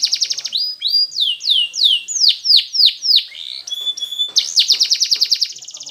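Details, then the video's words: Canary singing for training birds: a high rattling trill, then loud, downward-sweeping slurred notes repeated about twice a second, a brief level whistle, and a fast, high, ringing trill to finish. "Best Canary Sounds!! Suitable for training your canaries"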